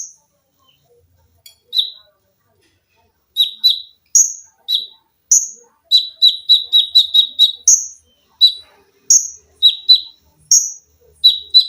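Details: Caged olive-backed sunbird (konin) in full song for masteran training in tembakan rapat and lengkingan styles: scattered shrill chips build into a dense run of rapid paired notes, then spaced high whistles.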